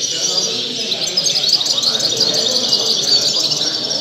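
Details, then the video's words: European goldfinch at a singing contest, giving a rapid, continuous twittering of bright, high chirps and trills, about three notes a second, over a low murmur of people talking nearby. "Concurso de jilguero"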